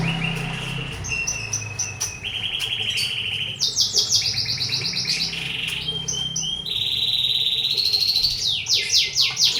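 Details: Canary in full song: varied phrases of rapid rolled trills, buzzy rattles and high sweeping notes, switching pitch every second or two with hardly a pause.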